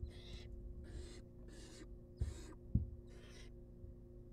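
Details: Baby barn owls, wild, in a research nest box at feeding time, giving quick rasping hisses about every half second, with a couple of soft knocks and a low background hum.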